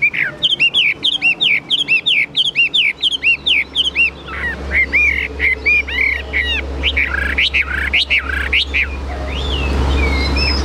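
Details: High-singing caged Chinese hwamei, 'cao cầu' style: a brisk series of arched whistled notes repeated rapidly for four seconds, then scattered looping phrases over a rising low hum and hiss.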